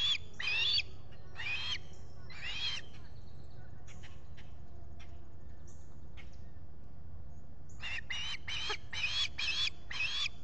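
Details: Osprey recorded by a nest camera at Salt Point in the US Finger Lakes, 23 July 2021, with a visitor at the nest. A few piercing whistled yelps are followed by soft clicks and rustling, then a fast burst of chirps.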